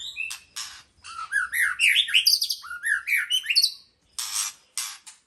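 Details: White-rumped shama in fast, varied song: quick rising whistled slurs and high chattering notes packed tightly together, then harsh scratchy bursts near the end.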